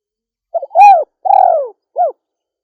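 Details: Female spotted dove calling one full phrase: soft doubled intro notes, a strong arched coo, a longer grainy descending coo, and a short closing note after a pause; clean, no background sounds.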